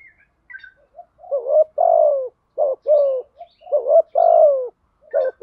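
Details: Spotted dove, male and female, calling for bird training and luring: steady low cooing phrases, each a brief wavering double note then a drawn-out falling coo, repeated about every two seconds, with faint chirps from other birds.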